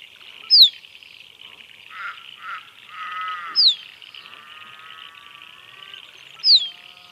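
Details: Musk duck giving a sharp, high, downslurred whistle three times, about every three seconds, over a steady chorus of insects or frogs with some softer chirping.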